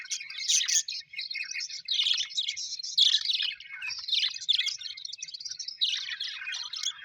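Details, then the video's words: Happy pet budgies, colourful Australian parrots, in busy group chatter: rapid scratchy warbles and squeaky chirps in overlapping bursts roughly every second, the flock sound unbroken throughout. "Happy budgies chirping sound"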